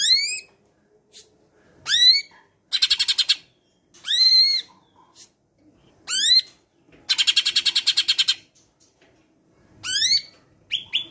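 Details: Cucak ijo from Medan singing with mimicked calls of other birds, including sparrows, for training; loud upward-swept whistles alternate with long fast buzzing rattles, separated by brief silences.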